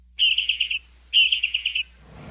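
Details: On the Galápagos Islands, a Darwin's finch sings two quick buzzy trills of about six high notes each, repeating the phrase after a short pause; faint background noise follows.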